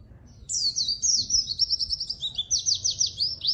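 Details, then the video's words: White-eye (pleci) song used as a lure and master recording for white-eyes that sing little: a high, rapid twittering warble of slurred notes running continuously, ending in a quick series of descending trills. "burung pleci gacor!!! efektif untuk pancingan dan masteran pleci yang malas bunyi"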